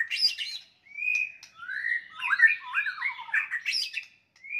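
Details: White-rumped shama in aggressive fighting song to provoke rivals: bursts of rich whistles, upslurred notes and tangled warbling phrases, delivered loudly in quick succession with brief gaps.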